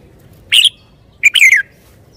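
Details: A red-whiskered bulbul sings two loud phrases about three-quarters of a second apart. The first is a short, bright warbled note. The second is a quick double note running into a falling, liquid warble. Faint low hum beneath.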